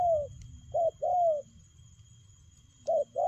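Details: Spotted dove cooing in a fast-paced playing style called lèo gù: short low hooting coo notes, some dropping slightly in pitch, given in quick pairs with short pauses between them, over a faint low hum.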